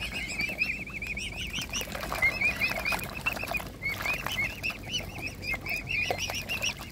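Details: High, wavering whistled peeps pour from hungry mute swan cygnets as they are fed by hand. The notes come in quick overlapping strings with a few sharper upslurred calls among them.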